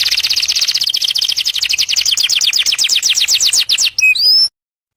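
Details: Canary singing for courtship: a long, fast, even trill of high clipped notes lasting about four seconds, ending with a couple of brief whistled notes and then silence.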